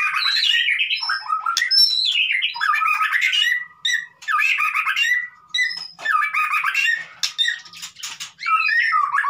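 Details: White-rumped shama in frantic 'konslet' style song, played as a lure to make a silent shama begin singing: dense, rapid, harsh squawky phrases sweeping downward, mixed with sharp clicks and brief whistles, with short pauses between bursts.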